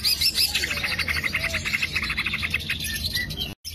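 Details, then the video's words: Green leafbird song used as a lure or training recording: a busy stream of fast high chirps and trills, dense and continuous, with brief whistled slurs and a short break near the end. "PANCINGAN CUCAK IJO AMPUH PALING DI CARI"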